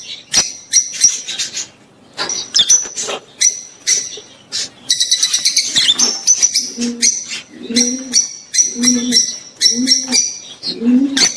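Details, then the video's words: Mating sounds of rosy-faced and Fischer's lovebirds, used to encourage the female to breed: bursts of piercing, rasping chirps, then soft low cooing repeated about once a second beneath the shrill notes. "صوت تزاوج طيور الحب الروز والفيشر لتحفيز الأنثى على الإنتاج"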